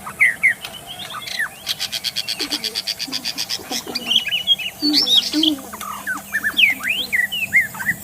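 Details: Magpie-robin in forest, wild, song used to prompt captive birds into singing: a fast buzzy rattling series, then varied whistled notes, rising and falling slurs, with some lower soft sounds underneath.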